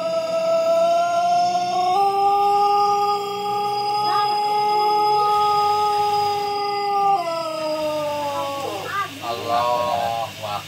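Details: Pelung chicken rooster crowing at home in a quiet setting: one very long, drawn-out crow with a steady, melodious tone held for about five seconds, then falling and breaking off, followed by faint speech.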